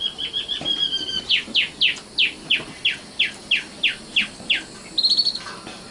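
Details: Sikatan londo, or common nightingale, song: a soft, thin opening, then a steady series of about eleven sharp, downslurred notes, closing with a brief high buzzy phrase.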